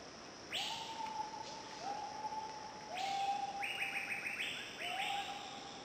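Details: A wreathed hornbill at Khao Yai National Park, Thailand, gives four drawn-out, mid-pitched calls, roughly one every second or so, over higher stepped chirps from other birds and a steady forest hiss.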